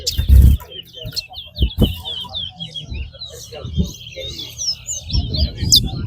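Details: Towa towa in a singing competition at Lamaha Ground, delivering a long, continuous chattering warble of quick high twittering notes, with low thumps and crowd voices in the background.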